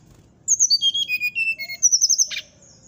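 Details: Brown-chested jungle flycatcher with nyuling song: a descending series of clear whistled notes, then a second run of sustained high whistles ending in a brief buzzy note, over low background hum.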